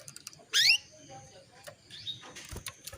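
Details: Calling female canary, a lure meant to excite a male into breeding readiness: one sharp, bright upward-sweeping chirp, followed by faint scratchy sounds and light knocks.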